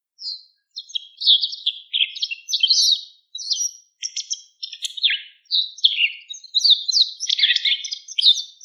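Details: White wagtail giving a continuous, lively twitter: rapid high chirps and buzzy slurred notes strung closely together with only short gaps, in a quiet setting with no other sounds.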